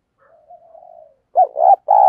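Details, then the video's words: Decoy dove kept to lure wild birds, giving a soft drawn-out low coo followed by loud, abrupt, hollow coo notes. "Chim Cu Mồi Thúc Gù Bài Bản Sung Chuẩn Kích Bổi"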